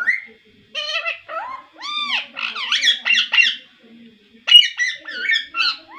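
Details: Indoor pet talking parrot producing rounded, voice-like harmonic syllables in quick phrases, a short break, then a final cluster of higher chattering squeaks and whistles.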